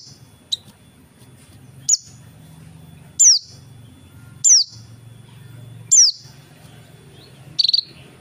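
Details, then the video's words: Lively 'dakun' oriental white-eye song: single thin, high downslurred whistles spaced about every one and a half seconds, ending with a brief buzzy trill, over a faint low hum and a steady high tone. "pleci dakun gacor"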